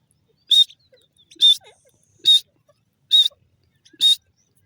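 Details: Grey francolin: five loud, sharp, high notes evenly spaced at a little under a second apart, with faint soft clicks in between.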